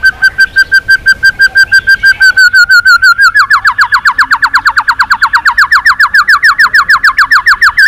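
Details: White-rumped shama in a voice-training recording meant to spur singing duels, delivering a long rapid trill of repeated whistled notes that slows slightly, then becomes a faster series of swept notes.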